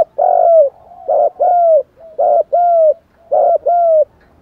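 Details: Male and female spotted doves calling to stir up other birds, with urging, cooing and calling styles. Loud mellow coos come in pairs, a short note then a longer falling one. The phrase repeats about once a second with a quiet hum between.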